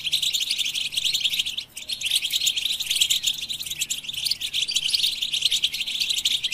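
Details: Continuous high, rapid twittering from a European goldfinch, with chattering notes running together and a short pause near the start before the song resumes.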